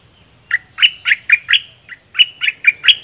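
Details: Red-whiskered bulbul kept as a decoy, calling at wild birds with doubled song phrases: two quick runs of loud, chirpy, bubbly whistles separated by a short pause.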